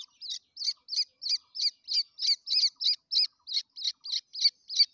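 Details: Young grey francolins give a steady string of high, clipped cheeping notes, roughly three each second, even in loudness and spacing throughout, with no other sounds.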